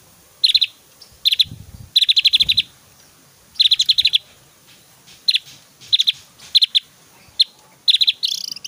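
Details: Javan grey-throated white-eye singing strongly, its varied, very loud 'tembakan' phrases intended for tutoring other white-eyes; rapid high chip series of up to ten notes alternate with shorter bursts, with a harsh rasp at the end.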